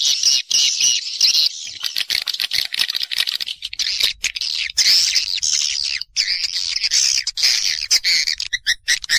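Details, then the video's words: Swiftlets recorded in nature, their call used as a lure to draw birds to roost: continuous shrill chirping and twittering, with many overlapping high notes and short gaps throughout. "Suara Walet Original II Suara Inap Walet terbaik II Panggilan Asli Burung Walet dari alam"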